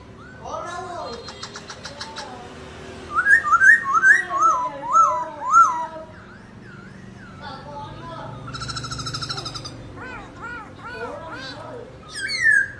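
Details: Varied laughingthrush song during a dancing display: buzzy trills and chips, then a bright series of sharply falling whistles, then rattling and rising-falling notes, with a quiet background.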